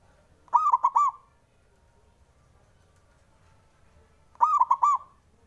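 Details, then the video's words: Male zebra dove, a local Javanese bird, calling to provoke rivals into answering: two mellow, broken cooing phrases about four seconds apart, each a quick run of three or four hollow, wavering notes over a quiet background. "SUARANYA🔊 LAGI BANYAK DI CARI UNTUK PENDOBRAK LAWAN JADI EMOSI! BIKIN NYAUT"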